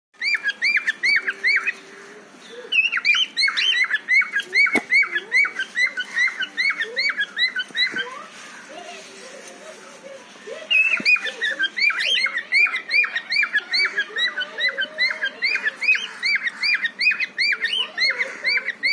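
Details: Cockatiel (Nymphicus hollandicus), mating call: courtship.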